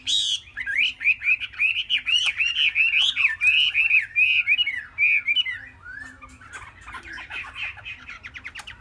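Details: A three-month-old Chinese hwamei pours out a long, rapid stream of loud wavering whistles, slurred up and down in quick succession, fading into quieter, scratchier twitters toward the end.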